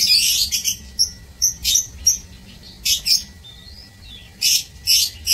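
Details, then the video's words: Caged lovebirds in an aviary, 16 March 2024: quick shrill chirps and short harsh bursts, a few thin squeaky whistles, in irregular clusters over five seconds. "Aviary Lovebirds [16 Maret 2024]"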